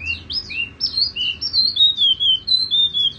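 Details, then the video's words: Tiểu mi songbird giving a continuous high warbling song: sweet, fluid whistled phrases that rise and fall, pulsing in regular bursts several times a second. "Chim tiểu mi hót tiếng vang dịu"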